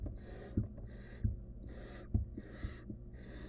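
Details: A wild barn owl nestling with a stolen rodent in its nest box gives five quick, rasping hisses in a few seconds, almost continuous, with thumps of movement below.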